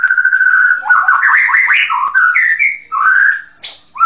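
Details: Varied song of a white-rumped shama: a low, even whistle breaks into rapid warbled slurs that climb and fall, then a sharp high whistle near the end.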